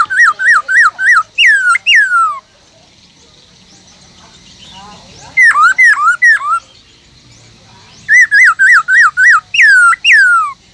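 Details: Black-throated laughingthrush, caged, singing a wild-style song that keeps other laughingthrushes fired up. Three bursts of rapid wavy whistles, each ending in two or three longer downslurred notes, separated by short pauses.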